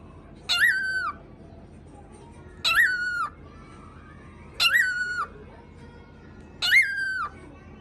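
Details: Pet cockatiel barking after imitating gargling: four short harsh calls, each a noisy burst sliding into a steady harmonic tone, repeated about every two seconds in a quiet indoor room.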